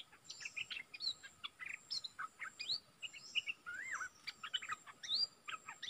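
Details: Bulbul kept as a decoy bird, recorded 22 August 2021: a busy run of short whistled and slurred notes, some rising, some dropping, delivered in quick bursts with brief pauses and a faint steady hum behind.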